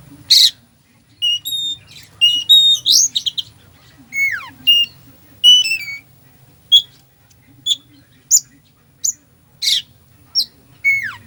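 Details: Used to stir a sluggish Oriental magpie-robin, a mimicry-laden song: dense early phrases of whistles and falling slurs, then sparser sharp chirps and harsh notes spaced about a second apart.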